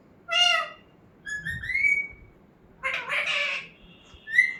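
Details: Talking pet parrot: a harmonic syllable, a long whistle that rises and levels off, a noisy speech-like burst, then a short high whistle.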